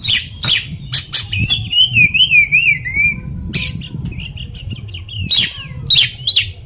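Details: Oriental magpie-robin song to provoke another magpie-robin: harsh clicks, then a wavering whistled phrase, then more rasping bursts and short notes over a low background hum.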